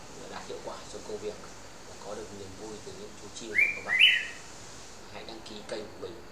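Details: Kept male Red-whiskered bulbul of a rare 'green' type, raised from young in Ba Vì, Hanoi, Vietnam: a brief two-part whistled phrase, rising then dipping, over a low murmur of human speech.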